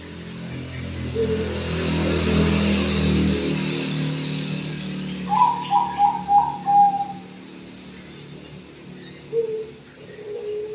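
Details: Young Anggungan, five months old, in an aviary: after a stretch of low rumbling background noise, a quick run of four or five short hollow hoots falls slightly in pitch, then one or two fainter notes follow.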